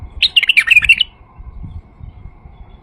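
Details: White-eared bulbul song used as a lure to attract other bulbuls: a brief burst of quick chirpy, warbling notes lasting about a second, followed by quiet with low rumbling background noise.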